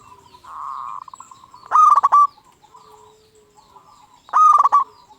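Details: Lure singer, a local zebra dove meant to make other zebra doves sing; a soft drawn-out coo leads into two loud, fast stuttering bursts of staccato notes about two and a half seconds apart.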